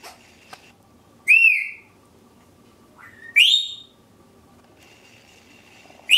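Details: African grey parrot kept as a pet, giving loud whistled calls: two strong rising-then-falling whistles about two seconds apart, with a fainter rising note between them, over low background hum.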